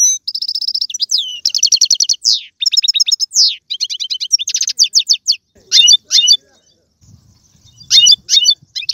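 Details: Pet-stimulating European goldfinch song: a long run of fast repeated trills and tinkling twitters, descending slurs, then scattered sharp chirp bursts separated by brief pauses.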